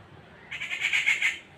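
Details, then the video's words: Rufous treepie giving one harsh, rasping squawk lasting about a second, broken into several rough pulses, with a quiet background. "Rufous treeple birds"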